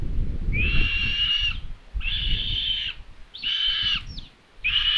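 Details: Hungarian common buzzard nest at Tiszalök, recorded by a solar-powered nest camera on 27 May 2022; chicks beg at lunchtime with four long, steady, reedy calls about a second each, separated by short pauses, over faint low rumble.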